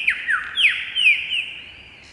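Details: Lyrebird singing from a branch in cool temperate Australian rainforest one morning, a very shy bird; loud whistled notes sweep steeply downward, about five in two seconds, over a steady high hiss in the background.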